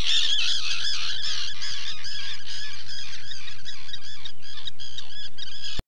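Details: Common terns (Sterna hirundo), UK, keep up a dense chorus of harsh, grating, high calls that overlap without pause, with a low steady hum underneath.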